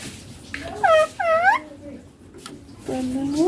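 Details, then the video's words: Indian ringneck parakeet, green, reported to speak "papa" and "mummy": two short, arched, nasal utterances close together, then a pause and a lower, rising human voice. "Ringneck green parrot loving papa mummy bolne wala"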